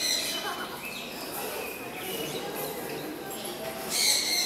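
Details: Golden-breasted starling (Cosmopsarus regius) giving quick, chattering high whistles and squeaky notes, with a louder burst near the end; faint background murmur throughout.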